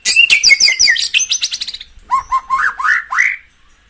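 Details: Caged-bird stimulation song of a white-rumped shama: a dense rapid burst of harsh, chattering high notes, then a brief pause before a series of rich, rising whistled phrases.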